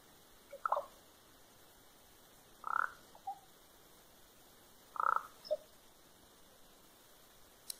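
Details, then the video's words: Common raven calling from a tree in Fox, Alaska, on April 7, 2020, recorded on a cellphone while another raven tore apart an old hornet's nest; three soft, liquid, droplet-like notes spaced about two seconds apart, each trailed by a fainter note. "Alaska Raven making soft musical sounds"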